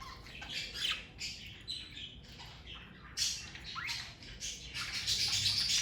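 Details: Several pet parakeets from one family chattering in rapid, rasping bursts with quick rising chirps, a nearly continuous stream of calls growing busier toward the end.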